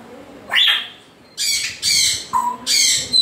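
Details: A sharply rising whistle from an African grey parrot, then three loud grating squawks in quick succession, one opening with a short flat whistle.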